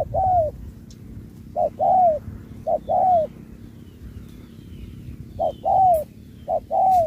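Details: Contest spotted dove singing in the Thúc style with Bo. Paired coos, short then long and descending, with a long silent stretch midway before the couplets resume.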